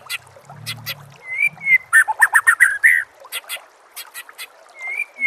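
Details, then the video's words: White-rumped shama master song, used to make other shamas sing: sharp clicks and short broadband notes mixed with clear rising whistles near the middle and end, with a faint low hum early on. "MASTERAN MURAI BATU PALING DI CARI TAHUN INI || SUARA JERNIH ,BURUNG PASTI NYAUT DAN GACOR SEKETIKA"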